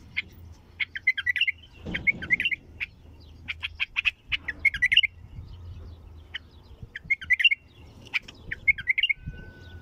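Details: Bulbul singing a 'طور' style song: short warbled, chirpy phrases with bright rising and falling notes, repeated in bursts about every second, separated by brief pauses, over a faint low background rumble.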